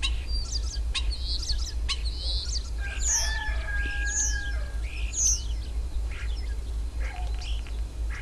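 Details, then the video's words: Common starling singing at a dacha garden plot: a jumbled medley of high clicks, sharp chirps and short whistles, with a steady drawn-out tonal note running through the middle, over a constant low rumble. "Песня скворца"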